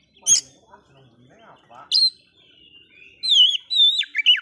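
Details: Oriental magpie-robin song meant to provoke other birds: short loud chips, then a rapid run of clear whistled and slurred high notes in the final second, with faint background chatter between phrases.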